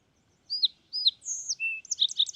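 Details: A Fox Sparrow (Passerella iliaca) gives two short, high sliding whistles, then a longer slurred whistle and a lower note, ending in a quick jumble of bright chips, against a quiet background.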